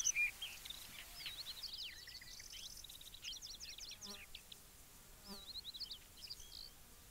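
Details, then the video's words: A Yellow-breasted Bunting sings a bright, high phrase of quick whistled notes and short trilled series, while other small birds chirp around it, with a couple of soft knocks. "Как поет дубровник"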